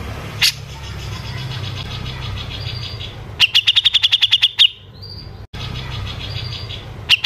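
White-rumped shama song: a fast run of about ten sharp, high chips, then a short rising whistle, with isolated bright notes around it over a low steady hum.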